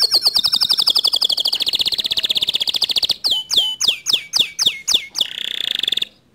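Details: Canary song meant to stir a quiet canary into singing: a fast, high, even trill of repeated notes for about three seconds, then loud downward-swooping whistled notes roughly twice a second, closing with a rapid buzzy trill.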